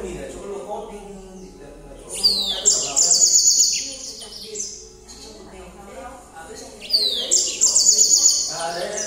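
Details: Yellow canary singing at night in two loud bursts of fast, rattling trills and sweeping chirps, each lasting about two seconds, separated by quieter stretches with a woman talking.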